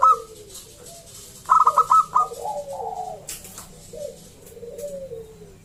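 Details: Zebra dove of local Indonesian stock (perkutut lokal), a loud singer used to coax other zebra doves into calling; a sharp clipped coo opens, then a rapid stuttering coo phrase gives way to soft falling purrs, with some clicks.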